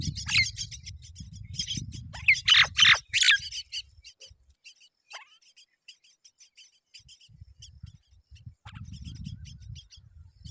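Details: As both myna parents arrive to feed them, myna chicks beg with rapid, thin, high chirps, several every second; loud harsh squawks burst out in the first few seconds, over a low background rumble.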